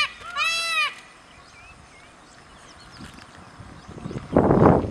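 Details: A male Indian peafowl (peacock), displaying, gives one loud, nasal, bleating wail lasting under a second, then quiet background hiss before a burst of rustling noise near the end.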